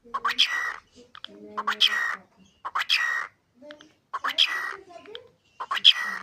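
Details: Pet cockatiel talking, repeating short mimicked human phrases in a soft, whispery, hissing voice, with bursts every second or so and brief chirps between them, in a quiet indoor setting.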